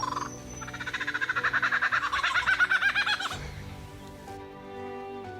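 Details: A Superb Lyrebird in Australian rainforest, where young males gather to learn from older males, gives a fast, rattling run of pulsed notes swelling and fading over two seconds, followed by steady low tones like background music.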